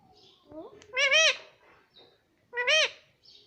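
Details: Pet baby parrot uttering two loud, rich-toned cries about a second and a half apart, each arching up then falling, with faint squeaks and soft background sounds between.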